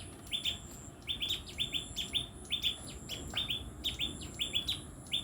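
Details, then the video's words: Tailorbird calling in quick bursts: bright, clipped chirps, often in pairs or triplets, tumbling along several times a second with brief gaps, over a soft low background. "Orthotomus( tailor birds) : enjoy the sweet chirping sound of these birds"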